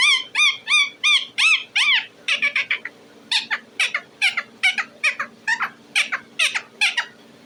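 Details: Pet talking parrot calling indoors: a fast series of loud, harsh upslurred notes, roughly two to three per second, shifting midway into shorter buzzy squawks with a steady low hum behind.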